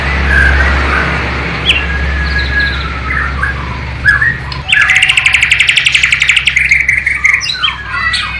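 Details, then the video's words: Bornean white-rumped shama from East Kalimantan imitating flycatcher and nightingale phrases: sliding whistles at first, then a fast rattling burst of repeated bright notes after four seconds, over a low constant hum. "MURAI BATU BORNEO ISIAN " SIKATAN LONDO / NIGHTINGALE ""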